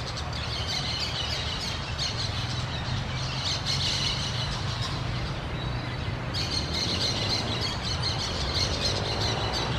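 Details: Orange-chinned parakeets give harsh, squawky high bursts that come in clusters, especially around the middle and in the last few seconds, over a steady loud low rumble like traffic.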